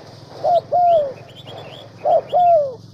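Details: Two deep two-part coos from a decoy spotted dove in Vietnam's Central Highlands, each a clipped note then a long downslurred croo, over a steady low hum and scattered high bird chirps.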